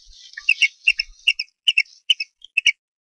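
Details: Bald eaglet at the Harrison Bay nest trying to feed itself after a parent ate without sharing, 5 May 2015: bursts of high, thin chirps and squeaky whistles, about two or three per second, closely paired.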